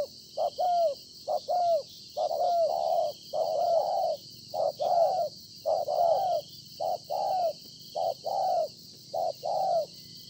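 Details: Newly caught wild spotted dove cooing persistently, a long run of short and longer low hollow notes, many gently falling at the end, with a faint constant hiss.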